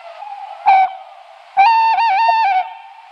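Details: Tawny owl hoot sequence: one short clipped note, then a longer wavering hoot with audible tremolo that ends after about a second. All tones are clear and mid-pitched.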